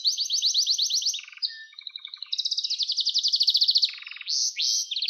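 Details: Canary singing a song for training young canaries: rapid slurred notes, low buzzy rattles and a soft flat whistle, then a long fast trill, another rattle and bright whistled phrases.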